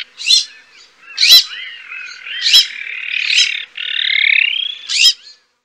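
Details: Azure-winged magpie (Cyanopica cyanus) with spaced, sharp chirps mixed with two drawn-out, harsh, buzzing rasps. The background is quiet.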